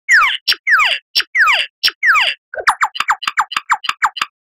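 A lyrebird gives five loud, ringing downward-swept whistles, then a quick run of about a dozen sharp, descending laser-like notes.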